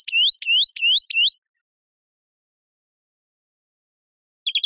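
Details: European greenfinch: four rising, whistled upslurred notes in quick succession, a long silence, then a brief burst of short chirps at the end.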